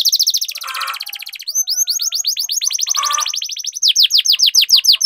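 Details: Canary song used to prompt other canaries to sing: fast trills of high sweeping notes, downward slurs repeated several times a second, with two short low buzzy bursts between phrases and a quicker rolling run at the end.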